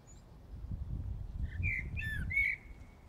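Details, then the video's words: Common blackbird singing at night in Brussels, Belgium, early morning of 15 January 2018: one short fluted phrase ending in thin high twitters, set against a noticeable low rumble of traffic. "Blackbird Singing in the Dead of Night"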